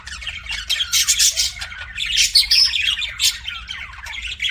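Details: Budgerigar chatter from pet birds, a busy mix of grating squawks, clicks and brief whistled tones, louder in short bursts around the middle, with a quiet low hum in the background.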